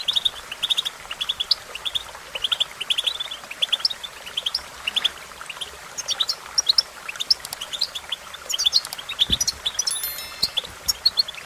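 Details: European goldfinch singing as training for other songbirds: dense, fast twittering of high tinkling notes and buzzy chirps, continuous throughout, over a steady background hiss.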